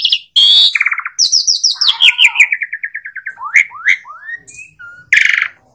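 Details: Asian pied starling singing a varied phrase of whistled and harsh notes: fast stacked chatter, a run of even descending whistles, then quick rising slurs ending in a burst of harsh noise.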